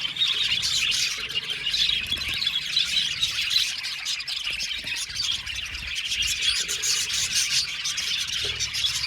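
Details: Crowded aviary of 70 budgie pairs: constant high twittering and squeaky chirps from the whole colony, rising and falling in loudness, with faint low background noise.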